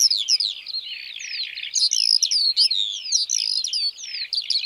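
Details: Eurasian skylark song: a dense, unbroken high warble of twisting, chirping notes that run together without pause, with sharper metallic accents bursting in from the middle onward.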